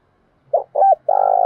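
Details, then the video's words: Spotted dove calling to lure other birds: a short low coo, then a longer double coo, then a sustained rough purring coo starting near the end. "Cu gáy thúc bổi rất sung, Tiếng cu gáy cực hay"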